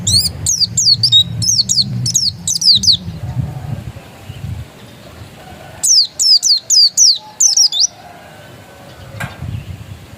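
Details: Oriental white-eye (pleci) of the dakun type, described as still original, sings two bursts of rapid, high, thin down-slurred whistled notes separated by a pause, over a low background hum.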